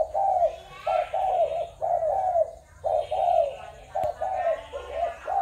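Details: Spotted doves of Malaysian, Thai and Cambodian origin, 21 November 2022. Hoarse, rolling coos come in paired, slightly rising notes about once a second, with short gaps between phrases and a faint steady high tone behind.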